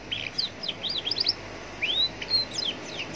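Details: Lure song of a young Atlantic canary recorded near a roadside, played to get other canaries singing; clear swooping whistles and rapid chirps, some notes sliding upward, with faint ambient noise behind.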